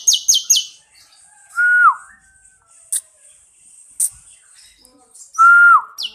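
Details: Bar-winged prinia song used to train other birds: opens with three high, sharp repeated notes, then two clear whistled notes that hold level and fall away, separated by quiet clicks and soft chirps.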